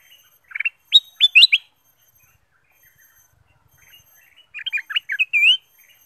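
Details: Ruby-throated bulbul singing, played as a lure to spur other birds into song: a quick burst of four bright whistled notes, a pause of nearly three seconds, then a longer run of chirpy notes ending in a drawn-out warble.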